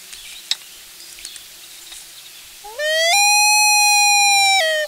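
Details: Mother loon wailing at the nest, with a chick and mate nearby and perhaps an intruder close; faint bird chatter first, then a loud wail rises and holds a long clear note to the end.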